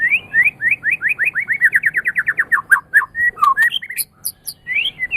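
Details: White-rumped shama song used to teach other caged songbirds: steady rising whistled notes repeated about four per second, speeding into a tight series, then varied dropping whistles, sharp clicks and a final upslurred phrase.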